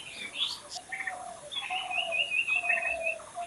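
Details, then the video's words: Several birds chirping and singing outdoors: a fast string of bright, high, piercing notes repeated in quick succession over lower buzzy trills and a steady, drawn-out whistle. "Natural Birds Chirping"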